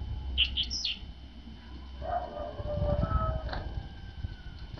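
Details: Tits at a feeder on a winter morning, arriving early after a cold night: a quick run of short, high chirping notes opens, followed by lower rustling and knocking noises.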